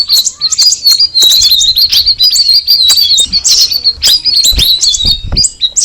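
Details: Straw-headed bulbul giving a busy, high-pitched chattering song of quick chirps and twitters, almost continuous, with soft low thumps underneath.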